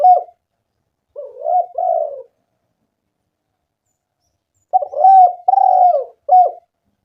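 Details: Lure recording of a vigorously calling spotted dove: a clipped coo, a soft two-note phrase, a pause, then a louder four-note cooing sequence ending in a short final note.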